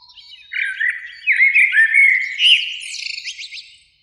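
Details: Eurasian blackbird singing in spring from a beech tree near a lake at evening, one of two blackbirds; mellow fluted warbling phrases, slurred up and down, end in a high, scratchy twittering flourish.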